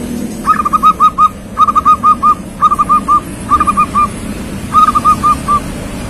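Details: Song of a young local zebra dove: five phrases of soft rolling coos, each opening with a short stutter then trailing into evenly spaced mellow notes, with a constant low rumble behind.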